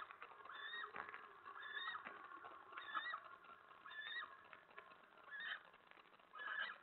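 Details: Eastern screech owl in a nest box hideout at night on 25 February 2017, chittering after its mate scolded it for checking out the mate's cached mouse; short, nasal, harmonic chitters repeated roughly once a second.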